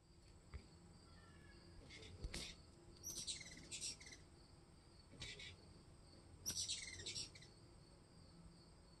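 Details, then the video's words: Three ruby-throated hummingbirds battling at a porch feeder in a yard, filmed in July 2020. Bursts of high, squeaky twittering chatter come in short clusters about every two seconds over a steady insect hum and background noise. "Three Ruby Throated Hummingbirds Battle at the Feeder"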